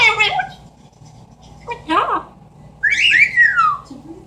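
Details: Captive Amazon parrot making mimicked noises: harsh, noisy squawks followed by a wavering, descending whistle, all in a quiet room.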